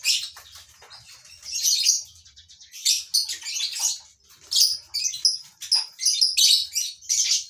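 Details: Lovebirds kept in a colony breeding setup, several birds giving shrill, harsh chirps in irregular bursts about a second long, with short quieter gaps between them.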